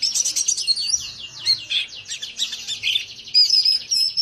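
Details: White-eye singing a rapid, continuous high warble of thin chirps and slurred twitters, with short buzzy trills near the end; quiet background.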